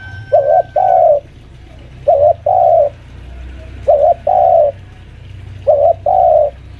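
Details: Spotted dove lure bird, about five years old, kept at home, pressing a rival: four evenly spaced low coo pairs, each a short note then a longer one, roughly every two seconds, a faint high tone at the start.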